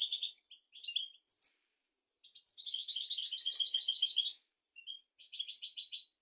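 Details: European goldfinch song to teach goldfinches and canaries: short twittering phrases, a pause, then a loud rapid rattling trill near two seconds long, and a final brief run of quick repeated notes.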